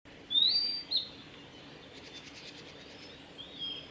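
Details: A male blue-and-white flycatcher sings on 15 April 2018 on the Kanazawa forest road at Lake Miyagase, Japan: a clear, high whistled phrase, then a faint run of quick buzzy notes and one more soft whistle, over a quiet outdoor hush.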